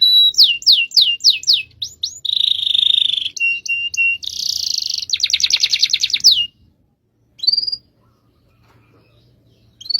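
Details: Canary delivering a long-duration rolling song, a run of quick down-slurred notes giving way to dense buzzy trills and a rapid rattling roll, followed by a short silence and one rising whistle.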